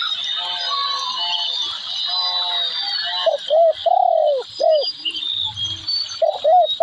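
Spotted dove giving soft, hooting coos in a short rising-falling phrase, over a busy chorus of high chirping and twittering birds.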